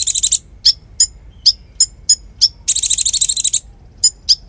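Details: Energetic konin song used as tutor material for magpie-robins and other songbirds: short, very high buzzy trills alternating with sharp, separate chips, with a long rattling trill near the end. The background is quiet.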